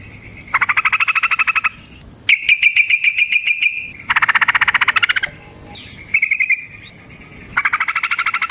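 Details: Sooty-headed bulbul giving a long, energetic fighting song used as a lure to make other bulbuls sing. Bursts of rapid, buzzy pulsed trills about a second long alternate with short gaps, some phrases higher and thinner, over a faint background hum.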